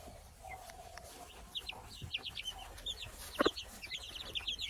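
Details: Baby chicks peeping in high, short, clustered notes, with a low drawn-out cluck early on and a sharp knock.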